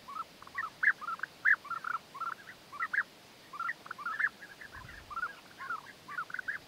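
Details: Courting European bee-eaters, the male winning the female's favour with food gifts; many overlapping rolling, trilled calls forming a busy chorus.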